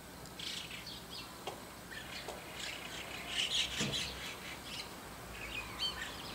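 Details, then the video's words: Several white-cheeked starlings squawk noisily in the early morning above a neighbourhood window: harsh, rasping, overlapping calls in rapid irregular bursts, with a few higher chirps between them. "ムクドリの鳴き声～朝の騒々しい鳴き声～White-cheeked Starling"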